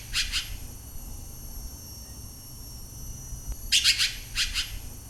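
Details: Red-billed blue magpie, a gregarious woodland corvid and good mimic, recorded at Nam Nao National Park, Thailand: harsh, rasping notes in quick pairs and triplets, one burst at the start, then two more about three seconds later. Faint low background rumble.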